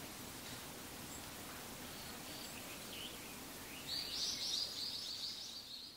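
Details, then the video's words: A male Daurian redstart gives thin, high "hi, hi, hi" calls on 1 November 2015, soft at first, then "ka, kakka" after flying from a branch. A loud, drawn-out high note near the end may be a brown-eared bulbul. Outdoor hiss. "ジョウビタキ Daurian Redstart 雄の鳴き声"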